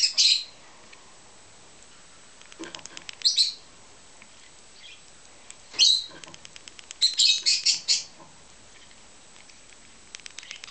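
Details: A Rosy-faced lovebird flapping its wings while being hand-fed gives shrill, buzzy chirps in short bursts, some in quick runs of four or five, with faint ticking clicks between them.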